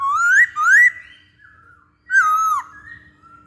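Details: Masked laughingthrush song played to lure or train birds: two loud rising whistles in quick succession, a soft pause, then a strong falling whistled slur with a quieter trailing note.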